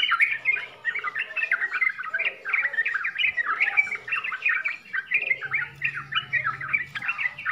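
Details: Continuous bubbly chatter of a Yellow-vented bulbul in 'full isian' style, quick warbled and squeaky notes in rapid strings, slightly softer level, a low humming drone near the end.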